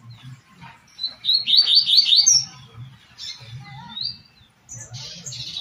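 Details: Double-collared seedeater, Tui Tui style song used for training captive birds: a fast burst of slurred, high whistled notes, with scattered chirps from other birds and a low pulsing hum underneath.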